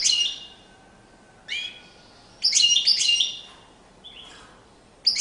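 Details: European goldfinch singing during courtship display; scattered bright chirps and a dense twittering burst near the middle, with short pauses between phrases, over a quiet background.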